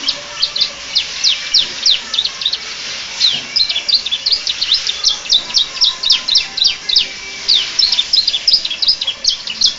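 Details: Canary, a captive-bred songbird, singing in a style that imitates the Bar-winged prinia: rapid high chirps delivered in quick bursts of about three to five notes each, repeated almost without pause through the whole stretch.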